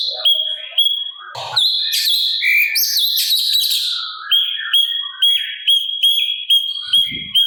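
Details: Sooty-capped babbler master song with harsh fill, used to tutor songbirds: a rich jumble of chirps and warbled phrases, then a steady series of short high whistled notes about twice a second.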